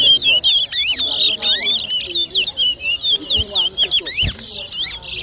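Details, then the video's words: Towa towa (chestnut-bellied seed finch) singing at an Arrival Day 2023 bird whistling competition at the Diamond bird ground, Guyana. A rapid, continuous warble of high, twisting whistled notes and slurred phrases, with faint voices and a few dull thumps. "TOWA TOWA BIRD WHISTLING COMPETITION"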